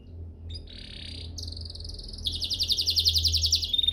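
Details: Canary song used as a training master: soft buzzy trill, a higher rolling phrase, then a loud fast pulsing trill repeated several times a second, with faint low background hum.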